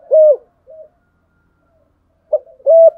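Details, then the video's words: Spotted dove giving the fighting coo ('gù đấu') to challenge rivals: one firm hollow coo, a faint short note, a pause, then another strong coo. Quiet background. "Thúc gù chim cu gáy bài bản nhất hiện nay. gù thúc bài bản, kích bổi rất riêng gáy, cu đất gù đấu"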